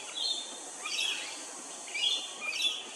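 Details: Rainbow lorikeet recorded in Hervey Bay, Queensland, giving four rasping, screeching notes spaced about half a second to a second apart, each a brief shrill burst, against a constant high-pitched background hiss.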